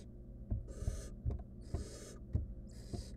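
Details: Barn owl nestling in a wild nest box working on a stolen rodent; hissing rasps alternate with repeated soft thuds and scuffling knocks, likely from handling the prey.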